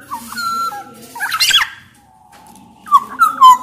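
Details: Black-naped oriole from Sumbawa singing to provoke other orioles into song: stepped whistled notes, a harsh scratchy burst, a thin faint tone, then rich rolling fluted whistles.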